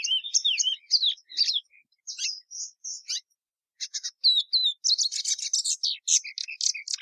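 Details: Plumbeous seedeater singing in phrases: twisting whistled notes and clear steady whistles, a short silence, then a dense buzzy chattering run with falling whistles.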